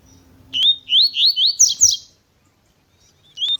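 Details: A double-collared seedeater (Sporophila caerulescens) sings a quick run of high, slurred, rising whistles, about five notes in under two seconds, then one more whistle after a pause.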